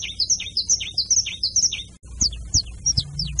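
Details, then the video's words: Canary performing carretilha song, a chain of high whistled notes with quick downward flicks. After a brief cut, the rhythm changes to spaced, descending slurred whistles over faint low knocks. "CANTO DO CANÁRIO CANTO CARRETILHA"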